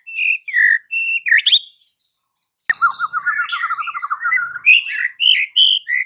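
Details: Afternoon lure song of a white-rumped shama, used to make a silent bird sing: rich whistled phrases and a sweeping note, a short pause, then a rapid descending trill of many notes leading into more loud whistles.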